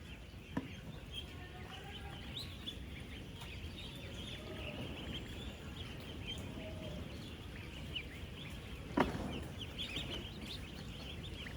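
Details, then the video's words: Thousands of 10-day-old ducklings on a real duck farm, calling as they move, eat and drink: a steady wash of high, short peeps, many overlapping, over a low rumble of farm noise. "16,000 Ducklings Making AMAZING Sounds!"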